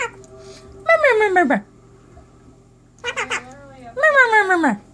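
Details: An adopted pet male Quaker parrot (Monk parakeet) indoors in the morning gives three drawn-out, falling, voice-like calls, the first and last about a second long, with a brief choppy burst between them.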